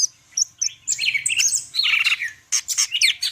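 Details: Greater green leafbird, a Medan-type bird in full song with varied imitations: rapid bursts of high whistles, sweeping slurred notes and buzzy chattering phrases, broken by short pauses.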